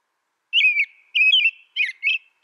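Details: Whistled caroling from an American robin: four brisk phrases, slurred and warbling, followed by the start of another at the very end.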